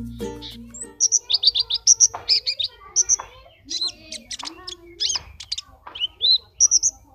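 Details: Caged brown-throated sunbird singing in an online singing competition in Temanggung, June 2020: rapid, high, sharp chirps and thin whistled notes, densely repeated with short trills and brief pauses.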